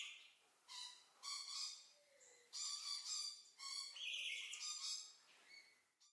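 White-necklaced partridge giving about five harsh, harmonic-rich bursts, each around half a second long. Soft, low rising whistles sound between them.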